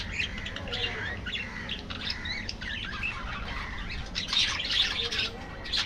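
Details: Budgerigars in an aviary colony chattering together: dense, overlapping warbled chirps and squeaky notes, with a few buzzy squawks and soft wing flutters.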